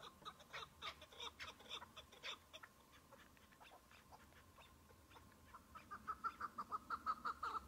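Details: Chukar partridge, a single bird at the season's opening in spring with snow on the ground: scattered harsh chuk notes, a quiet gap, then a quickening run of calls at the end.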